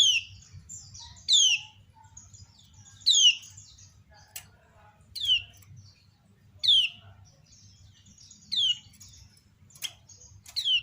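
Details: Female lemon-bellied white-eye (kecial kuning) giving its ciak call to prompt other kecial to answer: loud, sharp chirps sweeping steeply downward, repeated every one to two seconds, with fainter high twitters from answering birds between them.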